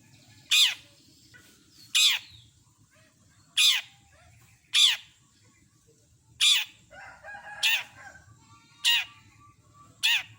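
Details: Long-tailed shrike, part of a full mimicry song: loud, harsh, downward-sweeping rasps repeated roughly every 1.2 to 1.5 seconds, with a brief softer chattering passage in the middle. A low hum runs beneath.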